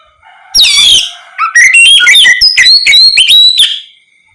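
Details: Oriental magpie-robin in ngeplong song, meant to set other magpie-robins calling back; a harsh descending note opens a quick series of bright, rising and level whistles, strongly repeated.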